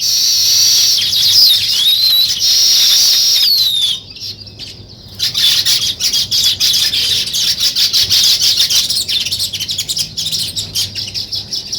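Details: Weaver birds building nests chatter in a dense, high-pitched colony chorus of rapid chirps and wheezy squeaks, several calls every second, with sliding whistled notes early on.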